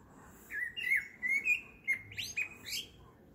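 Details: At 7.30 pm in the evening a blackbird sings a sequence of clear liquid whistles sliding up and down, closing with high scratchy twittered flourishes, with a faint steady hum behind.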